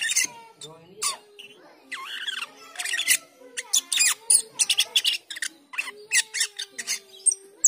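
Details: Black-winged myna in chattering and teler phrases meant to train the cucak keling: a long jumble of harsh clicks, rasps and bending whistled notes delivered in fast, uneven bursts.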